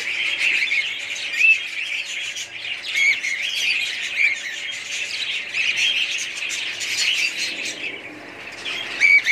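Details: A kept group of budgerigars keeps up high, squawky chatter, with short sharp whistled notes standing out over the continuous twitter of several birds at once.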